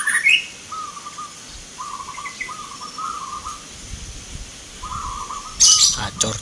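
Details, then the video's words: Contest zebra doves at a Mentaraman-style Nglagu Ngepat singing competition, Yogyakarta, November 19, 2023; several low, rolling coo phrases in steady succession, with brief high chirps and a loud noisy burst near the end. "PERKUTUT LOKAL BERTAARUNG ADU GACOR"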